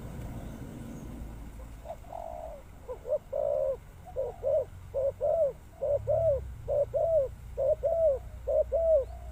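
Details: Spotted dove giving a steady series of about a dozen short, mellow, hooting coos, each a soft rounded note, repeated roughly twice a second, over a low rumbling background.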